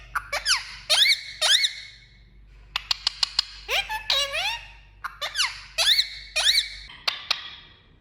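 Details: Pet green parakeet kept indoors, chattering in a varied run of squeaky rising and falling whistles, sharp clicks and short warbled phrases, with quiet gaps in between.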